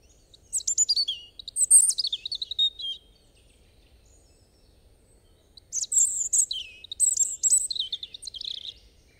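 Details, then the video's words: Two separate song phrases from a European robin, each a rippling run of high thin whistles and fluttering trills, spaced by roughly three seconds of silence. "Robin Bird Song"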